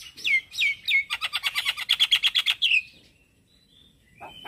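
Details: Male black-winged starling singing in the morning, used as a lure and tutor song for starlings: three downslurred whistled notes, then a fast run of about a dozen harsh, buzzy pulsed notes ending in a brief slurred note, followed by quiet.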